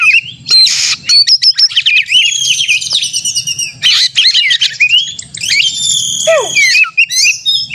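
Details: Oriental magpie-robin in aggressive contest-style singing to stimulate other birds; loud whistles, buzzy bursts, rapid trills and a steep descending slur near the end, delivered in quick, energetic runs.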